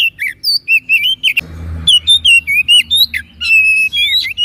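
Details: Oriental magpie-robin singing energetically in gacor style for masteran tutoring: fast strings of sweet whistled notes with twisting slurs, briefly broken by a short burst of low rumbling noise.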